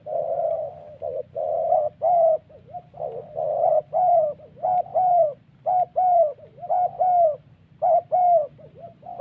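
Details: Spotted dove in the wild Central Highlands forest of Vietnam, recorded in a decoy-trapping setting, giving thổ-style calls: steady mellow low coos, each note a short level hoot, repeated roughly once a second in uneven groups.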